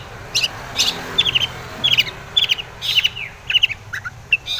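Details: Lure recording of a Long-tailed shrike singing to draw other shrikes into answering and becoming agitated: irregular series of bright, clipped chirp clusters, some with short falling slurs, over a soft low rumble.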